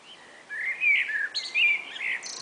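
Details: Spring-afternoon exchange between two common blackbirds: rich, mellow whistled notes sliding up and down, running into a brief high, shrill squeak at the end of the phrase.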